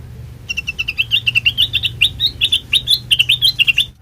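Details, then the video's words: Sooty-headed bulbul song played as a lure to draw other birds: a fast, continuous string of sweet chirped and warbled notes, some slurred upward, with a faint low hum beneath. "Suara khas Pancingan Kutilang Bahan,Cukup 1Menit Nyaut"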